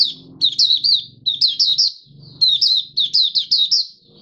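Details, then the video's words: Oriental white-eye (Mata Puteh Raja), caged, in open song on day five after its monthly deworming of 20 January 2022. Quick strings of bright, twittering, downslurred chirps run almost continuously over a faint low rumble. "Mata Puteh Raja Video 1 buka sing"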